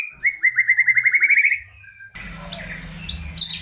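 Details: White-rumped shama singing, meant to stimulate lazy shamas: a fast rattling trill of repeated notes lasting about a second and a half, then a noisy passage with higher calls.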